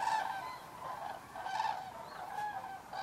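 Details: At dusk in Federow, Germany, common cranes arrive to roost in low water after a long drought; a flock chorus of trumpeting calls, with a few louder notes breaking through at intervals.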